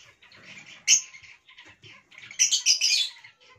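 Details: Talking hill myna giving sharp, high, squeaky chirps: an abrupt loud note, then a burst of rapid scratchy notes near the end. A person asks it in Hindi to say words about food.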